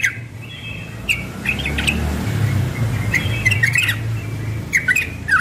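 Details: Young yellow-vented bulbul singing in the ropel style in the morning: short bright chirps and squawky two-part notes in scattered bursts, with a steady low rumble underneath.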